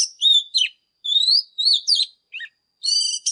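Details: Oriental magpie-robin in morning song, kept as a cage bird for training young birds: clear whistled phrases sliding up and down, broken by short pauses, ending in a harsh buzzy harmonic burst.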